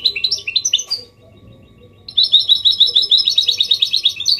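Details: Singing goldfinch mule in Malaga copy style, kept to prompt males to sing and help chicks memorise; quick high twittering notes, a pause of about one second, then a long dense run of rapid chirps.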